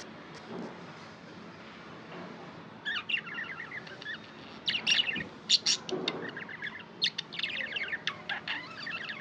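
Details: Pet budgies chirping: a quiet start, then lively chattering of high clicks, squeaks and warbled twitters building over the second half.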